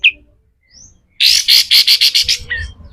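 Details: Pied triller giving a loud series of about eight harsh, buzzy pulses in rough 'besetan' style, a recording for training other birds; brief faint notes before and after.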